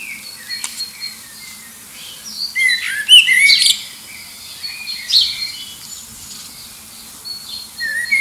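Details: Common blackbird singing in competition with distant birds to find a mate, near Liverpool under an airport flight path; mellow warbled phrases with squeaky twittering ends come in bursts, separated by quieter background chirps from other birds.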